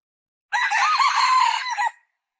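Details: A female red junglefowl utters one nearly continuous raspy call of about one and a half seconds. It stays level through the middle and ends with a brief dip at the close, in silent surroundings.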